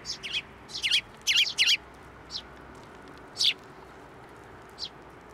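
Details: Sparrows coming to a hand for feeding at a Tenmangu shrine on 10 June 2024. A quick cluster of loud, slurred downward chirps, then two more spaced calls after a pause.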